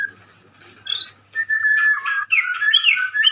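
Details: Singing young white-rumped shama: after a brief quiet start, a high upslurred whistle, then a steady clear note flowing into a rapid jumble of rich, varied warbled phrases.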